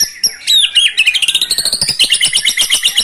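A white-rumped shama pours out a loud, varied song: bright high whistles slide into a fast run of clipped chattering notes, about eight per second.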